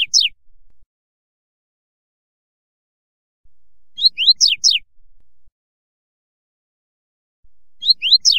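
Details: A Double-collared Seedeater gives a short song of sharp, high, downslurred phrases, repeated every few seconds, used for teaching a young bird.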